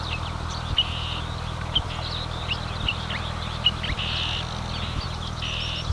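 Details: A marsh warbler (Acrocephalus palustris) sings at Lippetal, Germany, at 10:40 on 3 June 2021: a fast, varied run of chattering notes, sharp clicks and buzzy trills, over a steady low mechanical hum.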